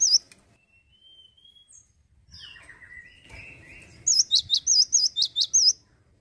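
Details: Male cinereous tit singing actively: after faint thin whistles and a soft slurred phrase, a burst of about eight loud, sweet, wavy high notes rattles off rapidly, with quiet low background hum.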